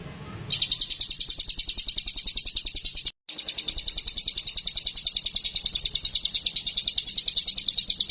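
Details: Sumatran leafbird song meant to draw a mountain leafbird into singing: a long, rapid high-pitched trill of chattering notes, about three per second, briefly cut once.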